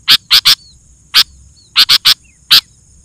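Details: Sooty-headed bulbul song used as a lure for other bulbuls: clipped, emphatic high notes in groups of one to three, with brief faint whistled slurs between the groups.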